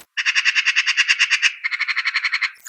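A Eurasian Magpie gives a harsh, rattling chatter of about ten dry notes a second, in two quick bursts with a brief pause between them.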